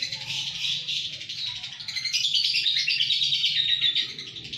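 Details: Kedungadem, Bojonegoro lovebird in sustained song: fast chattering trills and squeaky chirps running without break, growing slightly louder midway, over a faint low background rumble.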